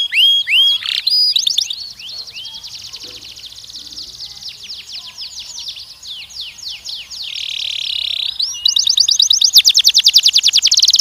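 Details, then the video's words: Canary song for training young males and females for mating; loud descending whistles at first, then a quieter stretch of repeated downslurred notes, a buzzy steady tone, and a fast bright trill at the end. "treinamento de acasalamento de machos e fêmeas jovens"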